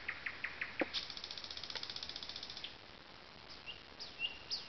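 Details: Thrush nightingale singing among alders beside a lake at Zawady Oleckie, Poland: a few sharp clicks, then a fast, even rattle of dry notes lasting nearly two seconds, followed by scattered high whistles.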